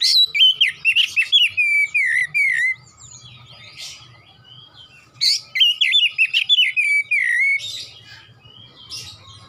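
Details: Oriental magpie-robin singing in the 'nembak' rapid-burst style, two phrases of quick looping whistles and trills, each about two to three seconds long with a gap between, and a soft low rumble and hum in the background.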